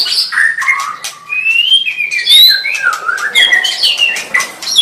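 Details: White-rumped shama song: a continuous run of varied clear whistles, rising and falling slurs and quick sharp notes mixed with faint clicks, delivered without pause.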